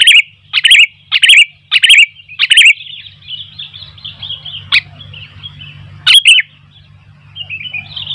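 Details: Sooty-headed bulbul singing actively, with wild bulbuls drawn in and calling around it. Five loud, bright chirps come at a steady half-second pace, then softer trilling notes and a couple of sharp chips, over a constant low hum.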